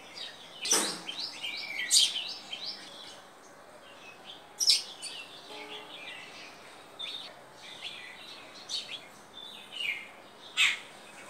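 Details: Sparrow song: scattered bright chirps and short twittering bursts in loose clusters, with pauses of one to two seconds between them, over a faint hiss of background noise.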